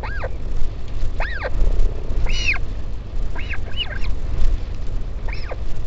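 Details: Northern royal albatross at its colony on Taiaroa Head near Dunedin, New Zealand, a parent visiting its chick on 16 July 2019: six arched, nasal wailing calls, rising then falling, some overlapping, over steady low wind rumble.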